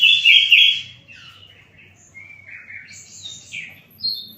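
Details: Flycatcher known locally as sikatan londo singing: a loud, bright warble near the start, then a string of short, varied whistled and trilled phrases at high pitch, quieter and separated by brief pauses.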